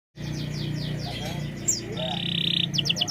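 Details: Canary song played as a lure to coax a reluctant bird into singing: a bright run of high sliding notes, then a steady buzzy note and quick chips, over a low hum and faint voices.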